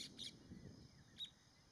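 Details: Pied bush chat (Saxicola caprata) recorded at Kavdi Pat in 2017: short, high chirps, a quick pair at the start and a single note about a second later, over a low rumbling background.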